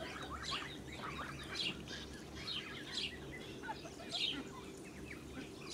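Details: Blue Muscovy duck mother with her ducklings on a farm, 8 July 2017; busy, overlapping high thin peeps and chirps throughout, several at once, over a steady low background hum.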